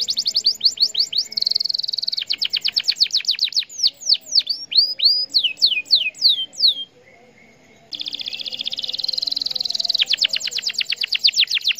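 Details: Canary singing used to urge other canaries to sing: fast clipped trills alternate with a sustained buzzing roll and a series of sweeping whistles, a second of quiet, then renewed rolling and rapid trilling.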